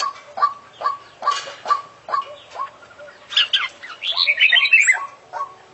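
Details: Oriental magpie-robin full-isian song, filled with imitated phrases in the style of international champions: evenly spaced short clipped notes, about two a second, then a burst of dense high warbling and twittering.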